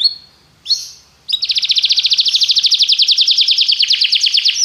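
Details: Canary song used for training other canaries: after a couple of short whistled notes, a fast, steady trill of rapid repeated high notes runs on for over three seconds.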